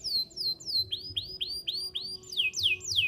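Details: Canary chirping as a lure for young canaries learning their song: a clear series of downward-swooping whistles, about four each second, shifting to rising slurred notes near the end.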